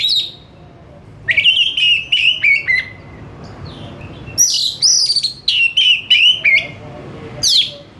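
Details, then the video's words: Oriental magpie-robin giving lively "gacor" song: bursts of clear whistled notes, about three a second, with some high swooping phrases and short pauses, over a quiet low background hum. "KACER BUNYI GACOR TANPA REPOT , CEPAT NGERESPON"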